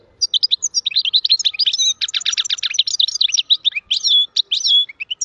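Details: European goldfinch in full song: a continuous, fast, liquid twittering stream of high chirps and trills with a few longer buzzy notes near the end, loud and clear over a quiet background.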